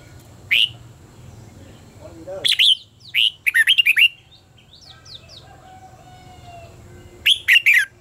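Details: Red-whiskered bulbul contest singing used to train birds: whistled phrases in bursts, including a fast string of five wavering notes, with thin high chirps from other birds between phrases and low background hum.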